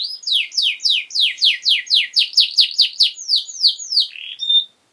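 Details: ['Training song of a canary for young birds, lively and sustained: a steady series of sweeping downslurred whistles repeated about three times a second, ending on a short level note before silence.']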